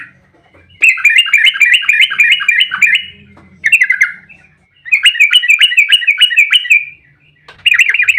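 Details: Yellow-vented bulbul in a fighting, agitated song, a long rolling ropel used as a lure: four bursts of fast bubbling, warbled notes, with pauses between them and a faint low hum beneath.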